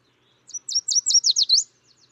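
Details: Yellow Warbler song, typical of spring and early summer mornings: a quick run of about seven bright, high whistled notes, ending in a few lower slurred ones. No other sounds.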